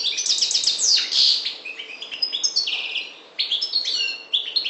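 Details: Maghreb goldfinch, subspecies parva, delivering a dense run of high tinkling notes and buzzy trills, then tumbling twitters after a short break.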